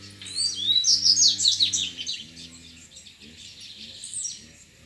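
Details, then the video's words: A wild double-collared seedeater contests rivals with its grego song: a bright, rapid string of high rising and falling whistled notes for nearly two seconds, weaker echoing phrases after, and a low droning background hum. "COLEIRO GREGO NA NATUREZA DISPUTANDO CANTO"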